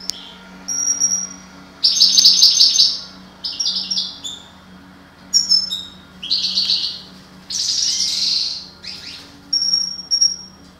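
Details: Breeding pair of parva European goldfinches; a fast, bright twittering song of tinkling, buzzy and liquid phrases in bursts of about a second, separated by short gaps, over a steady low hum.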